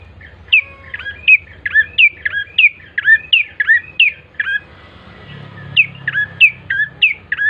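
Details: Bar-winged prinia song used to lure birds into singing: a long, energetic string of about a dozen sharp, repeated chirps, a brief pause, then another quick run of the same notes.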